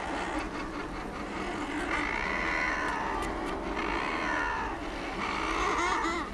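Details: A breeding colony of thick-billed murres on Coats Island, with a polar bear swimming below trying to catch diving murres, fills the air with overlapping harsh, groaning and cackling calls over a steady low rumble of wind and surf.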